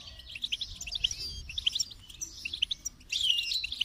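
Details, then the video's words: A goldfinch sings a fast, tinkling twitter of high liquid notes and short buzzy trills, running almost without pause, over a faint low rumble. "Song of the Goldfinch"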